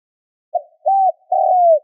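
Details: Spotted dove lure call cut short: a clipped soft note, a rounded hoot, then a long low coo sinking in pitch, with silence around it.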